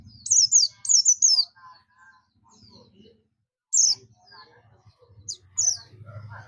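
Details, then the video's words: Buxtomi Oriental white-eye calling others: two runs of bright, high, falling chirps, then single notes, against faint mid-pitched chatter and a low background hum. "pleci buxtomi ngalas ‼️ pleci lain pasti ikut ngalas"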